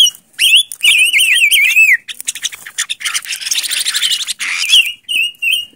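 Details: A silver-eared mesia kept as a decoy bird opens with a fluid, undulating whistled phrase. A rough rattling passage follows, and the bird closes with a few short clear whistles.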